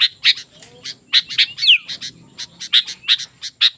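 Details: Sooty-headed bulbul song meant to lure wild bulbuls and tutor birds at home: a busy stream of bright, sharp chirps with one quick falling whistle in the middle and a faint lower murmur beneath.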